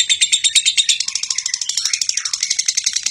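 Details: Lovebird in nonstop konslet singing, used as a master recording for other lovebirds: fast, shrill chirping notes in a steady run, about three per second, shifting to slightly lower, rasping chatter partway through.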